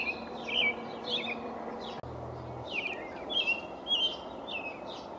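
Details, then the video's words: A male American robin sings from high in a pine tree on 5/6/19, seemingly declaring his territory. Whistled, carolling phrases with downward slurs follow one another, pausing briefly near the middle, over a soft low background drone. "American Robin singing"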